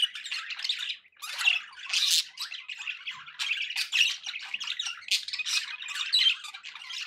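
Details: Several pet budgies chattering: a short lull near the first second, then dense overlapping chirps, harsh squawks and buzzy warbles run steadily to the end.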